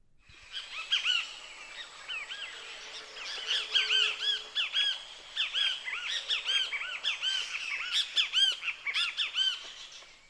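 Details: Great kiskadee (Pitangus sulphuratus) along the Huatulco River, Oaxaca, Mexico, in the morning chorus. It gives loud, harsh, repeated arched calls, with several birds overlapping in a busy chorus of shrill notes.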